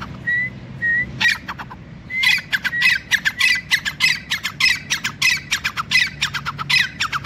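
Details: Grey francolin male, known locally as teetar, gives two soft rising whistles, then bursts into a long series of loud, grating, rhythmic notes in quick succession over a faint low rumble.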